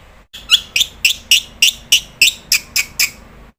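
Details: Black-winged starling calling actively, used as a lure to set other starlings calling: a steady run of about eleven harsh, high chirping notes, roughly three per second, each sliding downward, over a faint hum.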